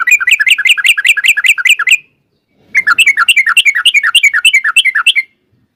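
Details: Two fast bursts of chattering song from a yellow-vented bulbul (trucukan) in long ropel style, used to draw a reply from other birds. Each burst is about two seconds of quickly repeated rising-falling notes with a short silent gap between.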